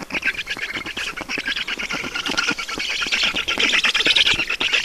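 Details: At a black stork nest in Estonia, evening of 5 June 2019 around 20:28, when water is delivered: a dense, continuous stream of raspy, wheezy squawks, pulsing several times a second and growing louder toward the end.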